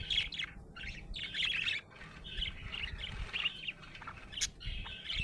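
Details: A happy budgie chirps in quick, continuous warbling phrases with scratchy chatter and brief high squeaks, over a faint low hum.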